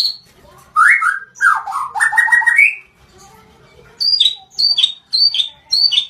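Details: White-rumped shama, blorok variety, singing loud varied whistled phrases, first rich warbles, then a quiet pause and a series of four clear repeated two-note whistles dropping in pitch.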